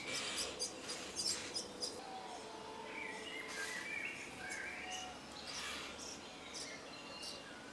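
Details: Common starling singing in a grove near Jarun, Zagreb, Croatia, recorded 30 April or 2 May 2017; a quiet, varied run of high clicks, scratchy bursts and short whistles, with a few smooth mid-pitched whistled notes in between.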